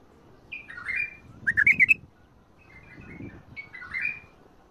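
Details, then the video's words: Bulbul song in the Mandali and Badra styles: gurgling warbled phrases alternate with a fast burst of sharp, bubbling notes, and soft background rustling fills the gaps. "تغريد ارقى اطوار مندلي وبدره شدة ورد .وفجرلي. ورد تبرلي"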